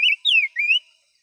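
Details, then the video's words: Two-year-old household cage bird whistles three bright phrases in under a second: a short warble, a long descending slur, then a rising glide. "chim gũ sắc hót hay"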